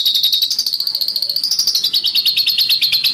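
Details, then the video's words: High, rasping bird song meant as training master for competition birds: a rapid stream of sharp notes with a whistled tone that wavers and rises slightly midway, continuous throughout. "MASTERAN Burung Denagn Suara Besetan Kasar"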